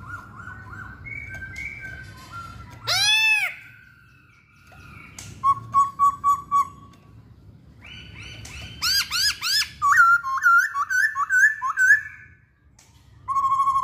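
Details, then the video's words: Masked laughingthrush singing: loud whistled phrases with strong harmonics, including a quick run of rising-falling notes, bursts of rapid repeated arched notes and a sustained clear whistle near the end, with quiet gaps in between. "Kicauan Poksay Hongkong"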